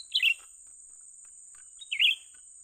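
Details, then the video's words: Two brief, sharp warbled chirps from a young bulbul at a trapping site, nearly two seconds apart, with faint ticks between them and a steady shrill whine underneath. "memikat burung cucak ranting muda mantap"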